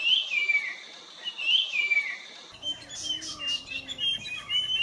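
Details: Puff-throated babbler from peninsular India with two falling whistled phrases about 1.4 seconds apart, then a mix of other birds' chirps and short notes.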